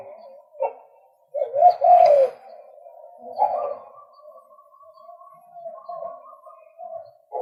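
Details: A male White-breasted waterhen (Amaurornis phoenicurus) gives low, hollow croaking notes, then a louder burst followed by softer drawn-out cooing tones.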